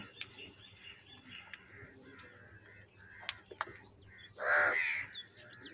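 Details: Crow calling continuously while fighting and feeding; after a stretch of faint chirps and clicks comes one loud, hoarse, drawn-out caw lasting under a second near the end.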